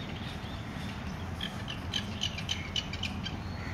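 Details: Indian grey hornbill, with chicks leaving the nest, on a home lawn during lockdown; a quick run of short, sharp, squeaky notes at a steady pace, about four a second, over a constant low background hum.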